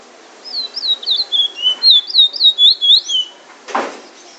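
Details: Bullfinch in Trinidad singing drawl and wheet drawl: a rapid series of clear, falling and rising whistled notes, about four per second, high and bright, ending with a short noisy rustle.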